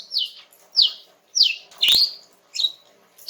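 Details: Relaxed song of a female greater green leafbird, used to lure a young male into answering; repeated high downslurred whistles roughly every half second, with one sharp click midway and a faint hum behind.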